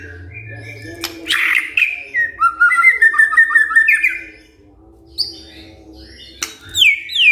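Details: White-rumped shama responding to a lure song with a noisy burst, then a quick run of bouncing whistled notes, a quiet gap, and high sliding whistles near the end, with a low background hum.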